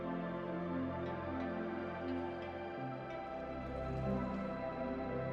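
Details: Soft ambient new-age music with sustained tones and gentle chimes throughout, without any animal voice.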